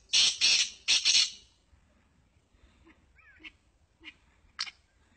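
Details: Sindhi black francolin opens with three loud, rasping, grating notes in a rapid phrase, followed by quieter scattered chirps and a short whistled slur in a calm background.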